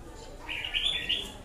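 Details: Red-whiskered bulbul singing a single quick, clear whistled phrase of about one second against faint background hum.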